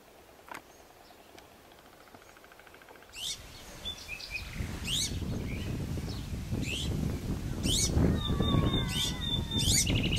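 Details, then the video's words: Iberian Azure-winged Magpies in Doñana National Park, Spain, in April 2011 give harsh, rasping notes about every second, mixed with thin whistles, over a steady low rumble of wind or distant traffic. "Pie-bleue ibérique (Cyanopica cooki) Iberian Azure-winged Magpie"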